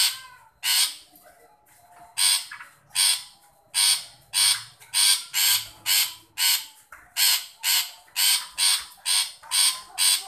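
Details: Harsh call of a long-tailed shrike aimed at provoking a silent, shy shrike: a long, steady series of raspy, buzzy chack notes, about two per second, scarcely pausing for ten seconds.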